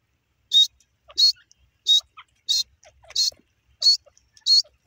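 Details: Grey francolin (teetar) calling: loud, harsh, high-pitched notes repeated steadily about every two-thirds of a second, seven bursts in five seconds, with faint soft clicks and ticks between them.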